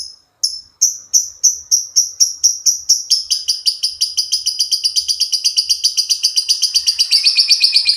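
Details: Lovebird giving ngekek chatter, used as a lure to provoke other lovebirds: high chirps repeated about four times a second that speed up into a continuous ringing trill, with faint low knocks.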